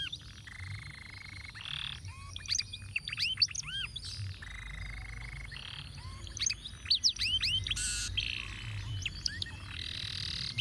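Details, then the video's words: Ruwet-style canary song played for tutoring other birds: scattered arched whistles and short buzzy blocks, quieter and more broken, with a noticeable low rumbling background. "Masteran Kenari Lagu Ruwet"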